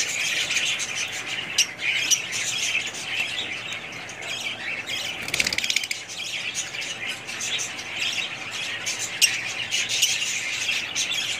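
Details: Several budgerigars chattering together in a dense, continuous warble of high chirps and squawks, with a brief low thump midway and constant overlapping calls throughout.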